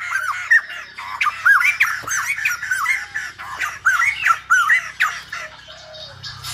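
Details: Silver-headed babbler singing, compared to a Lumba dancer, with dense overlapping arched and squealing notes that form a continuous, lively squawking chatter over a faint low hum.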